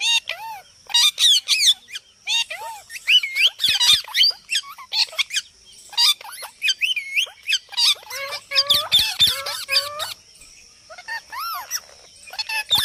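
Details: Parrot making a long, busy series of chirps, arched whistles and raspy squawks, dense bursts mixed with short pauses, plus occasional soft knocks in a quiet indoor setting.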